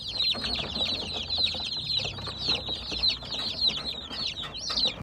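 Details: Chorus of baby chicks, their high thin peeps coming nonstop, each a brief slurred note, layered so densely that no pause is heard, over a light low hum.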